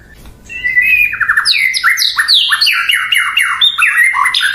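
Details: Murai batu, the white-rumped shama, delivers a fast torrent of downward-slurred whistles and scratchy notes, dense and energetic throughout after a quiet opening.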